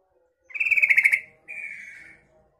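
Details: Female Yellow-vented Bulbul calling, used as a lure for untrained young males: a fast buzzy rattle of about eight pulses, then after a short pause a smoother sustained mid-pitched note. Quiet background.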